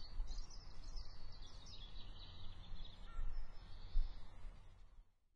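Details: Birds chirping in rapid high twittering runs that fade after a few seconds, over a strong low rumbling background noise that dies away at the end.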